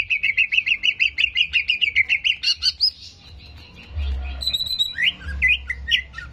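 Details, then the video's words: Song of a greater green leafbird, used as a fast provocation to raise aggression: a rapid run of about fifteen evenly repeated chipping notes, then a pause and scattered high whistles and sharp upslurs, with a low rumbling hum beneath. "PANCINGAN CEPAT MENAIKAN EMOSI CUCAK IJO"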